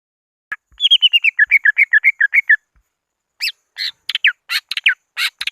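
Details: Greater green leafbird lure call for calling rivals: a fast run of about fifteen clear downslurred whistles, then scattered sharper, higher notes after a short pause.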